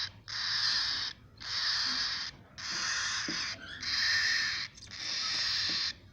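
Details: Cockatiel nestlings make five loud, hoarse, hissing bursts of about a second each, spaced evenly with brief pauses.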